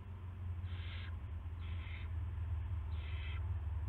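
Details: Before dawn on March 9, 2016, an owl at the nest during a rat delivery gives three drawn-out, hoarse hissing bursts spaced about a second apart; a low droning hum runs underneath.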